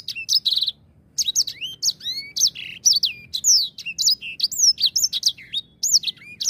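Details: Energetic grey singing finch lure song: after a short trill and pause, a steady chain of high looping whistles and chips runs on without breaks.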